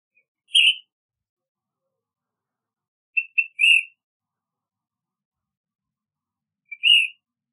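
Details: Ash-throated Flycatcher calling: rough whistled notes about every three seconds, the middle one led by two quick short notes, the last by a faint pickup, with nothing else audible.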